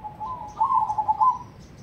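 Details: Zebra dove, a crossbred bird of cemani colouring, singing in the ketekdobel rhythm: a soft low coo that swells into a burst of quick rolling pulses, then fades into faint background noise.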